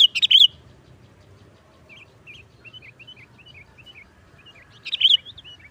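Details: Sooty-headed bulbul sound used as a trapping lure: a loud bubbly burst, then a string of soft, quick chirps repeated about every half second, and another bright burst near the end over a low rumble.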